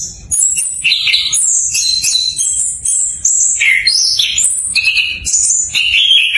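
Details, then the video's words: Orange-headed thrush song played to teach and prompt stalled birds: a rich, fast-changing run of high whistles, slurred notes and mimicked-sounding phrases, shifting pitch every fraction of a second, continuous throughout. "PANCINGAN ANIS KEMBANG BELAJAR NGEPLONG COCOK UNTUK PANCINGAN ANIS KEMBANG MACET"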